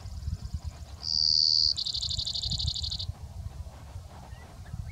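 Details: Male Brewer's sparrow in the morning, giving the daytime "short song" of unmated males from big sagebrush near Silver City, Montana: a faint trill, a loud dry buzz, then a fast rattling trill; a sage thrasher sings behind, with low wind rumble.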